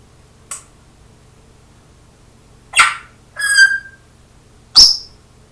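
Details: Parrot copying its owner's cough: a faint click, then a sharp raspy cough, a tonal whistled syllable with stacked overtones, and another sudden harsh cough, indoors and otherwise quiet.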